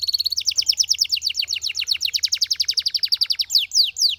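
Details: Belgian canary singing a brief steady tone, then a long rapid series of repeated downward-slurred syllables at a steady pace, closing with a few slower high swoops.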